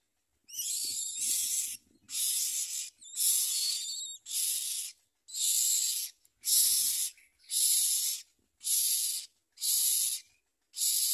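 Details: Nest of common myna chicks with the mother present, the young eating little and trying to bite her; a steady run of about ten scratchy, hissing rasps, roughly one per second.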